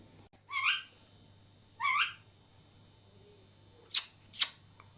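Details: Alexandrine parakeets indoors, two sharing food while a third laughs: two harsh rising squawks about a second apart, followed by two brief sharp clicks or chips.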